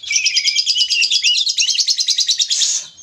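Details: Fired-up Oriental magpie-robin used to provoke a rival into singing: very fast, even trill of high chattering notes, roughly three per second, running for about two and a half seconds before ending in a brief whistle.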